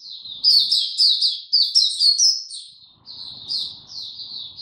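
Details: Oriental white-eye song from 02052022: quick, high, tinkling chirps in clustered bursts about twice a second, followed by a softer, sparser phrase of sweet whistled notes.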